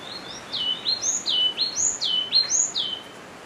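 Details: A Yellow-cheeked Tit (Machlolophus spilonotus) gives a quick run of clear, high whistled notes, each slurring downward, about three per second, over a faint background hiss.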